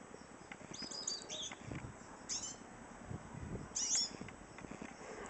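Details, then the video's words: High, scratchy chirps from a female hooded siskin come in three brief bursts, with soft low voices and hiss in the background. "cabecita negra llamando"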